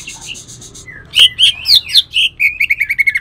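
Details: Bornean cucak ijo, a greater green leafbird, with a song of rough bursts filled with shrike mimicry. Faint rapid buzzy notes give way to loud whistled slurs and then a fast, regular chattering trill.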